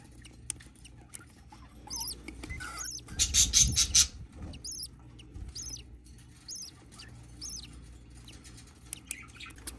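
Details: Hatching budgerigar chick giving sparse, high, arched squeaks spaced out over several seconds, with a short burst of scratchy rustling partway through.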